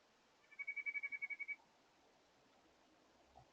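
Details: White-breasted nuthatch at a backyard feeder in July, giving a honking call: one rapid run of about ten nasal, evenly spaced notes lasting a second, then quiet.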